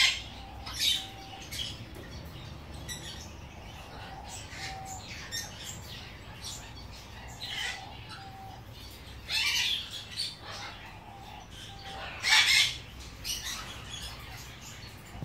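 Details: Female Ducorps's cockatoo (Cacatua ducorpsii) gives a few harsh, rasping screeches spaced several seconds apart, while a soft, level whistle repeats about every two seconds in the background.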